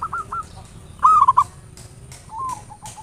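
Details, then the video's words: Local zebra dove lure song, ngayer nulop style, used to trigger singing: a brief bubbling phrase of three or four soft coos, with fainter cooing fragments before and after. "Perkutut lokal PANCINGAN SUARA NGAYER NULOP ampuh merangsang cepat EMOSI BUNYI GACOR"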